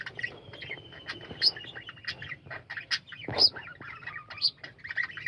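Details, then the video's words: Many budgerigars chattering in a colony aviary: busy warbling and short chirps overlapping, one long thin whistle held near the start, a sudden harsh squawk midway. "বাজরিগার পাখির কলরব ও গান"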